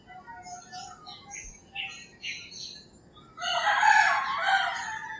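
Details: Birds chirp and twitter in short bursts in the early-morning countryside of the Philippines before a rooster lets out a loud, rasping crow of about two seconds.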